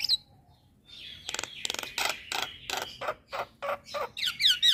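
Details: Lure to make starlings like the Javan and black-winged myna respond: a buzzing, grating phrase repeated in quick pulses, then separate harsh notes and bright wavering whistles at the end.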